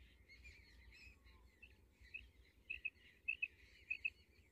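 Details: Female common quail giving clipped high notes in quick doublets, about one pair every half second in the second half, over soft background twittering and a low hum.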